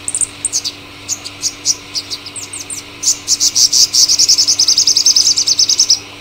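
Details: Purple sunbird (Cinnyris asiaticus) singing: high thin notes and downslurs, then a fast, even trill of sharp repeated notes for about three seconds.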